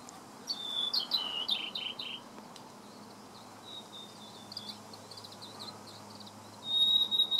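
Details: Singing blue-and-white flycatcher, 30 May 2014: a quick run of bright, slurred, descending whistles, followed by softer, distant notes and a high thin whistle near the end.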